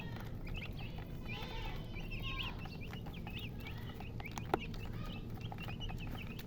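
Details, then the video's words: Chickens with a hen: soft, high chick peeps repeat rapidly through the whole stretch over a steady low rumbling background hum. A single sharp click sounds near the end. "silly chicken chirping sounds with murgi hen color chicken"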